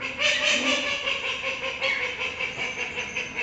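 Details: Call ducks, the world's smallest duck breed, quacking loudly while following staff at high speed on a walk; harsh nasal quacks overlap in a busy, noisy chorus.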